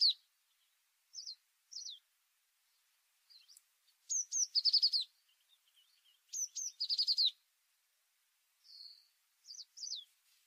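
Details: Tit song in a quiet setting: scattered thin high notes, then twice a pair of sharp high introductory notes leading into a quick, lower, buzzy trill, with further isolated high calls.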